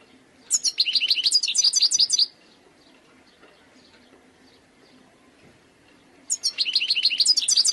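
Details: Wild European goldfinch delivering two bursts of bright, rapid twittering song, each lasting over a second, separated by about four seconds of near silence.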